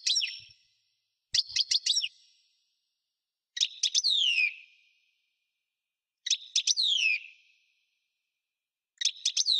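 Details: European goldfinch giving repeated bursts of song about every two and a half seconds. Each burst has several sharp, high chirps and then a long, descending, buzzy whistle. The background is silent.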